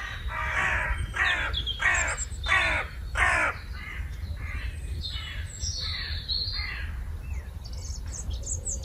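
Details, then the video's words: Crows cawing loudly in Meopham early on a spring morning, 4 April 2021: about eight harsh, descending caws in steady succession, fading to softer calls, with high chirps from other birds and a low rumbling background. "Early Morning Noisy Crows in Meopham"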